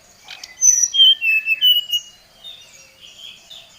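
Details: Oriental magpie-robin challenging a rival with a brief phrase of clear whistles sliding downward, then softer fading warbles.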